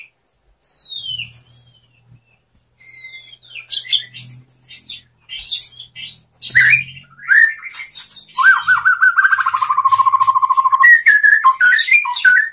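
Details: White-rumped shama song used as a master recording to train other shamas to sing: varied whistled phrases, sharp chips, then a long rapid trilled run and a rising-falling whistle.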